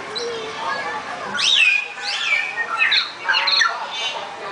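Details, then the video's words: Bird singing in short clear whistled phrases, each note sweeping sharply down then levelling off, several phrases over four seconds, over a steady background hiss. "Chim ơi, chim ! hót lên con"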